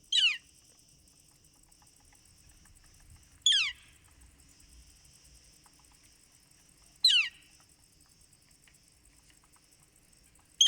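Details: Northern flicker calling quietly: repeated sharp, falling "kleer" notes about three and a half seconds apart over a faint steady background hiss.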